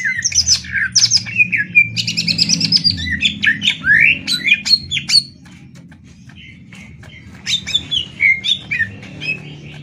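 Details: Captive greater green leafbirds dueling, Banyuwangi against Kalimantan, in fast 'tembak ngetrek' song: harsh squawky bursts and rapid trills mixed with sharp chirps, a pause, then scattered whistled notes over background hum.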